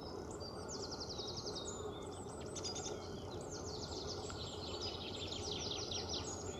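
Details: A pair of long-tailed tits building a domed nest of twigs and lichens in the breeding season, bringing in feathers, filmed at a distance: high, thin chirping notes in quick repeated runs, with steady low background rumble throughout.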